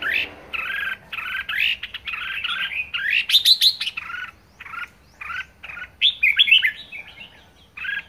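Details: Red-whiskered bulbul kept as a pet, singing energetically in 'ché' style: a long stream of rich two-tone chirps and rapid bright warbled phrases, nearly continuous with short gaps.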